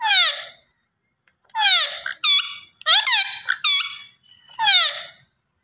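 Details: Talking green Indian ringneck parakeet, producing clear harmonic word-like syllables, some falling and some abruptly rising, in about six distinct bursts with short silences between them.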